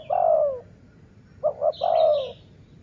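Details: Low dove coo during a decoy-luring session: one long falling note, a pause, then two clipped notes and another long falling coo, with a faint higher chirp above.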